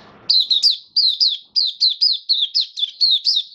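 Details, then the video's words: Captive white-eye, dewormed and given supplements, singing 'buka sing' on 18 May 2022: after a soft low rustle, an even series of piercing, downward-slurred chirps repeated roughly three to four per second. "Mata Puteh Kitaro buka sing"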